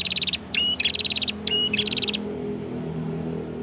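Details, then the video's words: Prenjak kepala merah prinia from Kedungprahu village, Ngawi, East Java, delivering two quick phrases, each a thin upslurred whistle running into a fast buzzy rattle, then a low steady hum. "Suara Prenjak Kepala Merah Gacor"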